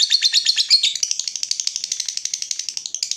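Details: Lovebird giving a long ngekek trill used to lure and train other lovebirds: a rapid, steady chatter of harsh high notes, roughly three per second, with no other sounds.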